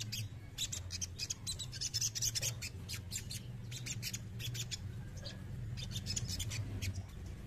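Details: Male crested jay singing: a stuttering series of hard, high, rattling clicks in uneven bursts, a low droning hum beneath.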